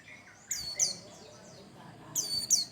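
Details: White-eye song used as a lure to prompt other birds to sing, described as energetic: sharp, high, descending chirps in two quick pairs, about half a second apart, over a soft hiss and faint low murmur.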